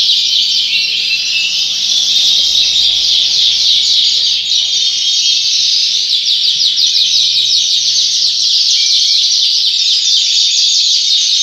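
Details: High, dense, continuous warbling trills from a Yorkshire canary in a breeding house, with a faint low hum and murmur underneath.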